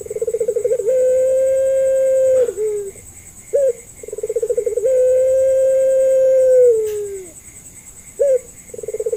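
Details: Local puter pelung Barbary dove used as a lure to make hesitant doves answer. Two deep drawn-out phrases, each opening with fast throbbing pulses, holding a long steady coo, then sliding down. A short sharp note follows each phrase. A constant faint high whine runs underneath.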